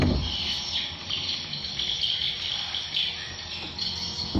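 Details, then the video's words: Swiftlet roosting calls from birds inside a swiftlet house seven months old: a dense, continuous high chirping chorus with shimmering overlapping tones, fairly steady throughout with slight swells. "Suara inap walet"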